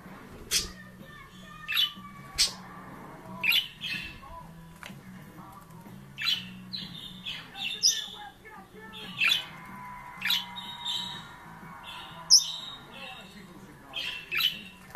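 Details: A confused budgerigar gives sharp, scratchy squawks and chirps in irregular bursts, with a faint steady tone behind.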